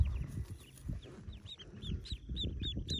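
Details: Yellow ducklings hatching in a cave nest, roughly forty of them; quick high arched peeps build up toward the end over heavy low rumbling.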